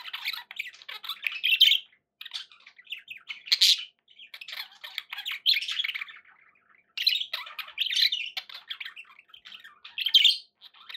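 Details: Budgies kept indoors as pets chatter in scratchy warbling bursts of one to two seconds, louder squawky peaks recurring roughly every two seconds, with short quiet breaks.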